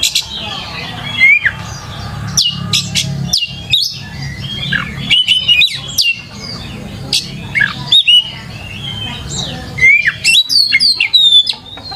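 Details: Kacer (Oriental magpie-robin) lure song meant to draw replies: a long run of varied whistles, sharp chips and rasping squawks in quick bursts with brief pauses, some notes sweeping steeply downward, faint low hum behind.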